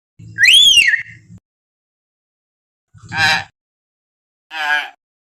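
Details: Common hill myna wild call for luring and prompting captive birds: one loud arched whistle followed by two short grating, buzzy bursts spaced over several seconds.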